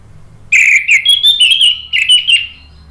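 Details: Orange-headed thrush (anis merah) song played as a lure to prompt answering, continuous singing: a rapid, rolling phrase of clear whistled notes lasting about two seconds.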